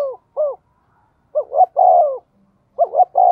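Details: Spotted dove kept as a decoy, calling quickly to stir up wild birds: soft hooted notes, then two full phrases of short clipped coos ending in a long drawn-out coo.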